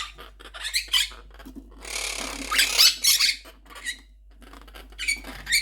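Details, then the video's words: Pet Monk Parakeets (Quaker parrots) indoors in a small room, loud and angry after their nest box was removed; harsh raspy squawks in bursts, with one long grating screech mid-way, then shorter scratchy calls and a final burst. "Quaker Parrot Loud Sounds"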